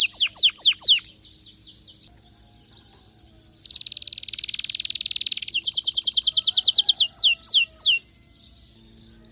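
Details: ['Excited canary singing: fast trills of high rising-falling notes, then a dense buzzy rattle, then quicker repeated sweeping notes with short pauses between phrases.']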